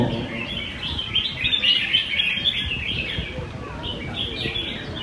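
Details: Caged red-whiskered bulbuls, top ten contestants at a Sunday-morning bird singing competition in Quy Nhơn, 21 June 2020. Many bright, warbling phrases overlap in a dense, continuous chorus, with a low murmur of people underneath.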